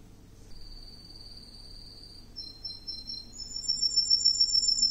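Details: Green canary singing a steady high whistled tone, then stepping up to higher rolling trills that grow louder toward the end, over faint low hum.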